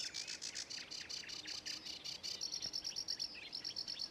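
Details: Sedge warbler in song at Ilmatsalu, 26 May 2017: rapid grating chatter of repeated dry notes that shifts into a sustained high buzzy trill with a few sweeping whistles.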